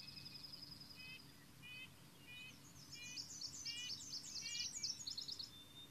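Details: A White-throated Sparrow in the boreal forest of Maine, identified by a viewer, opens with a long, thin, steady whistle, then repeats short notes about every three-quarters of a second; busy high twittering from another bird overlaps.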